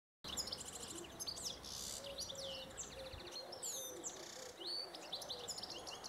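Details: Male European goldfinch courting a female beside him in a mulberry tree, raising his head before copulation, sings a fast, tinkling twitter of high liquid notes, quick trills and brief buzzy phrases, almost without pause.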